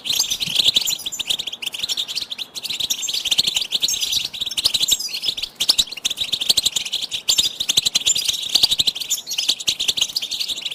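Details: Continuous goldfinch song used as a teaching tape for chicks, with fast, liquid twittering mixed with buzzy trills and sharp high chirps throughout.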